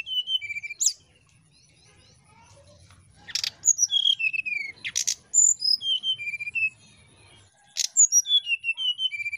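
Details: Brown-chested jungle flycatcher in the nyiul ngetrek song style, used as a lure for birds that rarely sing: sweet whistled phrases stepping down in pitch, repeated in bursts, broken by sharp clicking noises and quiet gaps.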